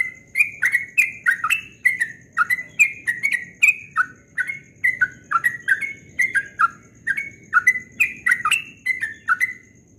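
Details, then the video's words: A Yellow-vented bulbul at dawn gives a lively, rapid run of bubbly, liquid notes, about two a second, rising and falling, with a faint steady high whine behind. "Trucukan Ropel Subuh suaranya merdu sekali"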